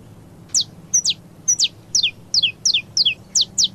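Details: Saffron finch in paulista song style, giving spaced, sharp, high chips that slur downward, a few doubled, around three per second, over a quiet low background hum.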